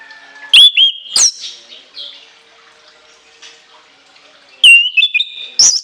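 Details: Two loud bursts of shrill orange-headed thrush song with long fill: clear whistled notes with sharp upward flicks, separated by about three seconds of near silence with faint background chirps.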